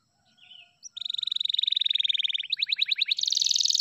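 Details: An F2YS canary starts with soft notes, then delivers a long, even rolling trill, a run of sweeping downslurred notes and a high, buzzy closing trill.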